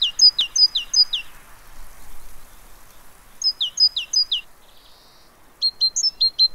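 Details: A Great tit at a fat-ball feeder in Pellerey, France, on 3 March 2017, giving three bursts of high, sharp chirps, each a quick run of four or five notes, with brief quiet gaps between.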